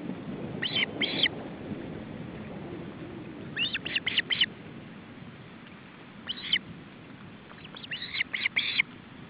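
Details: July 2012 nest scene, a male osprey and his chicks during feeding: paired and tripled shrill chirps separated by gaps of a couple of seconds, ending in a quicker cluster, with faint low background noise.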